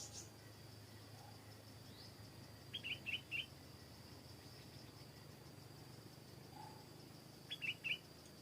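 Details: Stripe-throated bulbul heard in a garden, giving two brief bursts of three quick liquid, bubbling notes, about five seconds apart, over a low background hum and a constant high hiss.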